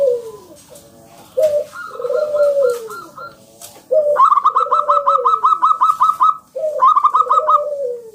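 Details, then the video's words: Local zebra dove singing loudly, used as a lure to prompt other doves to sing: soft, arching coos, then bursts of quick, stuttering high notes in rapid series, in three phrases. "Perkutut lokal gacor"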